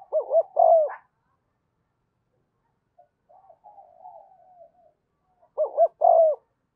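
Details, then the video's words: Decoy spotted dove calling to attract wild doves: a loud, rolling three-part coo, a quiet stretch of soft murmuring notes, then the same emphatic coo phrase repeated. "Chim Cu Mồi Thúc Và Gáy Gọi Bổi Nhanh Về Cội"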